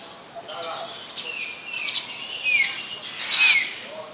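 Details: Black-collared starling, Ubon Ratchathani, Thailand, recorded 2 January 2020: slurred, rising and falling whistles over a rasping undertone, building to two louder notes near the end.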